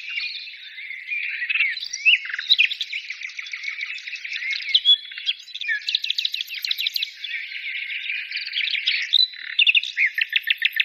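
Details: Bird singing a rapid, varied warble of high chirps, trills and short whistled phrases, with quick buzzy note series near the end; continuous and lively, with no other clear sounds.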